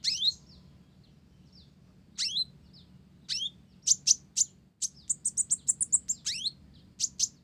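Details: Blorok (mottled) olive-backed sunbird in active song carrying Java sparrow phrases: high, falling chirps, then a fast run of about a dozen bright, piercing notes, ending in more sharp chips.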